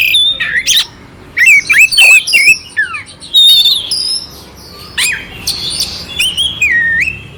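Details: Harsh-textured song of an oriental magpie-robin, used to excite another magpie-robin: clear whistles mixed with rasping squawks and sharp downslurred notes in uneven bursts, ending on a drawn-out falling whistle.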